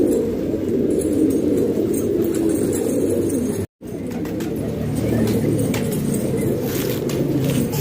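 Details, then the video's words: Many domestic pigeons in Pakistan coo together in a thick, continuous low murmur, with no clear single voice and a brief silent gap midway. "Pigeon Sound"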